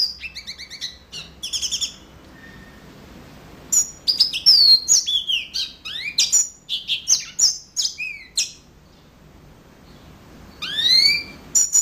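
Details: Yellow-fronted canary giving clipped chirps, a pause, then a lively burst of varied slurred whistles and chips, and finally rising sweeping notes near the end; quiet between phrases.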